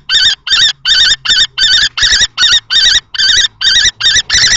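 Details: Two male common kestrels fight over a nest box at Théding, 20 March 2024, one in juvenile plumage. Quick strings of harsh, wavering kee calls continue with a faint low hum underneath.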